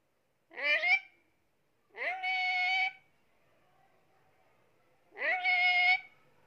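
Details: Pet Indian ringneck parakeet, lively and active, giving three loud, harsh, nasal calls, each about a second long with a slight rising onset, separated by pauses, indoors.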